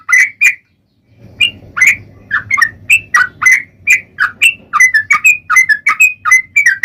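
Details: Ropel-style singing by a sooty-headed bulbul (trucukan): a stream of loud, varied, clipped whistled notes about three per second, rising and falling in pitch, with a low background hum throughout.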